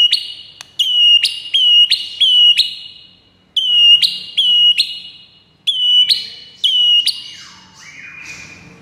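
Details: White-rumped shama song intended to make another shama reply within seconds: a series of loud, ringing, sharply struck high notes in groups of three to five, ending in a slurred descending warble.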